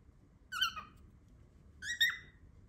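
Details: Loud cockatiel noises: two separate harmonic whistled calls about one and a half seconds apart, the second bending upward, over a soft low background hum.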